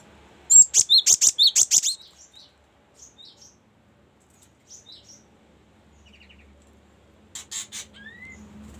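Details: Cinereous tit song used as a model for training songbirds. It opens with a rapid burst of about eight sharp, high notes, then gives scattered softer chirps and ends with a short repeated high phrase over a faint low hum.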